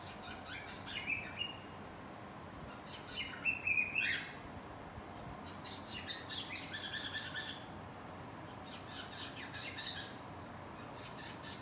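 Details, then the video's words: Pet cockatiel singing while hiding: bursts of bright chirped whistles with harmonics, clustered near one, four and seven seconds, separated by quieter gaps over a steady low background hiss. "Funny Cockatiel | Look Who is Hiding and Singing"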